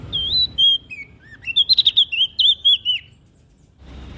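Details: Olive-backed tailorbird from NTB in vigorous song used as a prompt for quiet birds: wavering whistled notes, then a fast burst of about ten bright, slurred chirps, ending abruptly.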